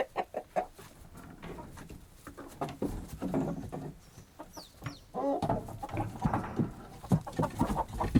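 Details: Agitated hens in a henhouse after a disturbance, bursts of flustered clucking and squawks mixed with scratching and fluttering wing noise, uneven and busy throughout.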